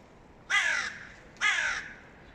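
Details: Hooded crow, the mate of a dominant crow, calling as it demands an attack on a young crow; two harsh, hoarse caws about a second apart, each lasting roughly half a second, over quiet background.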